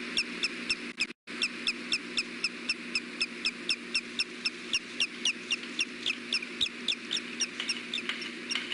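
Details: Osprey courtship calling at the nest around a mating attempt before leaving, afternoon of May 3, 2016, webcam recording: long run of shrill, clipped chirps repeated roughly four times a second over constant background hiss, with one short dropout.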